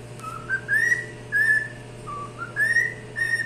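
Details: Cockatiel singing: a short run of clear whistled notes, each sliding upward and held briefly, with short gaps between phrases. A steady low hum runs underneath.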